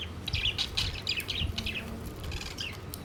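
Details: Pet budgerigars gathered around their food plate, which seems to have nothing left to eat; short bright chirps come in quick bursts through the three seconds, with low rumbling background noise.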